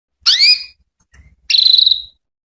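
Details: Female canary luring male canaries with her call: one bright, high note that sweeps upward, a faint soft note, then a buzzy note of rapid pulses lasting about half a second.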